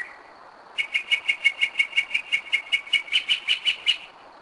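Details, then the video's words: Mockingbird singing at night, 2am, in Kennesaw, Georgia; a rapid, steady run of about eighteen short sharp repeated notes, roughly four per second, rising slightly in pitch near the end. "Mockingbird 2am 2011"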